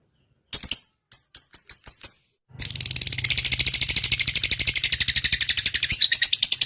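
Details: Lovebird in 'ngetik' (typing) song, used as a master recording to stir other lovebirds: a few sharp separate high chirps, a short pause, then a long dense buzzing chatter of rapid high notes over a faint low hum.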